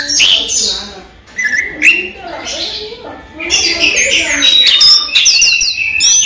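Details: Orange-headed thrush from a bird collection singing by day: a varied, rapid stream of whistles and chips, a brief pause, then a dense burst of high, sharp, slurred notes.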